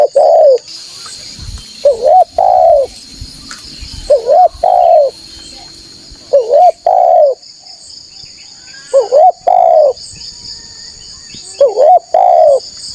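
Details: Spotted dove sounding a lure to pull in wild rival doves: repeated two-note coos, a bent short note then a longer falling coo, roughly every two seconds, over an insect buzz and a low rumble early on.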